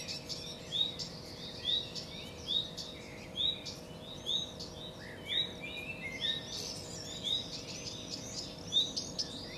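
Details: Common redstart (Phoenicurus phoenicurus), song.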